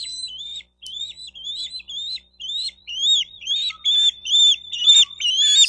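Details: High, whistled, arching chirps from a Bald eagle at its nest in Miami-Dade County, Florida, 4 June 2023 around 12:35, nest-cam recording; notes repeat about twice a second and grow louder and more insistent toward the end.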